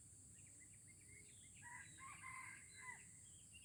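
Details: Red junglefowl from Aceh, Indonesia, heard during a first test of an original lure: short chirps lead into a harsh, harmonic crow that rises and falls over about a second and a half, with steady high insect hiss behind.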